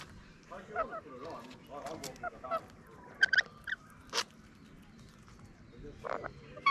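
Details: Rainbow lorikeets, feeding and performing a mating dance in Melbourne in 2020, give sharp, shrill screeches in scattered bursts between softer wavering chatter over a low steady hum; finding: Rainbow lorikeet.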